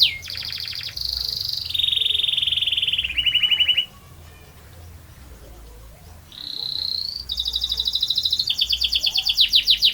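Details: Canary singing a long rolling song: a fast trill, then steady whistled tones at several pitches. After a short quiet pause, a rising whistle leads into a rapid buzzy roll that grows louder.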